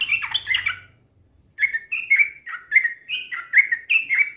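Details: Yellow-vented bulbul singing to provoke a rival: a brief jumbled burst over low hum, then a steady series of clear, fluty notes stepping up and down.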